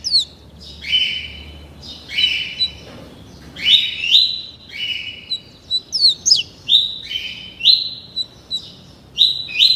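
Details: Young captive-raised double-collared seedeater, 30 days old, singing the tuí tuí Alcântara style: a rapid run of clear whistled tuí-like slurs, each ending in a sharp falling flick, delivered almost continuously.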